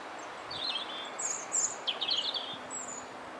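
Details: Eurasian treecreeper at St Luke's church, Formby, giving thin, very high, sibilant call notes in a few quick bursts over steady background hiss.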